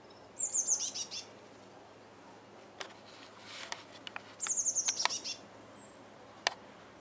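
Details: Common swifts back in Swinford for spring, recorded 5 May 2016: two short shrill high-pitched screaming bursts, each a fast run of descending notes, about four seconds apart, with scattered clicks and knocks in between.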